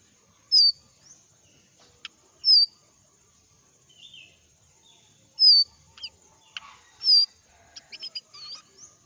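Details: Young jongkangan of the forest, moulting, repeats clear falling whistles irregularly, four loud ones in nine seconds, mixed with softer chirps and brief buzzy notes over a constant thin tone.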